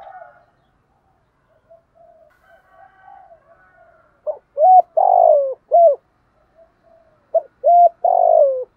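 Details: Spotted dove cooing in thúc gù style, a recording for training and luring doves: quiet low murmuring at first, then loud hollow coo phrases in two groups near the end, each with short notes leading into a longer falling coo.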